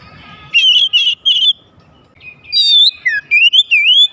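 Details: Oriental magpie-robin singing to stir other magpie-robins into song: three quick rippling whistled bursts, a pause, then a high ringing note, a downward slur and a rolling, wavy whistle.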